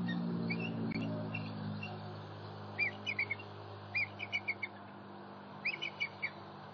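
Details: Bald eagle nest in Southwest Florida on an October 2019 morning, visited by a three-year-old sub-adult. A low droning hum opens, then thin, high staccato chirps follow in three short clusters.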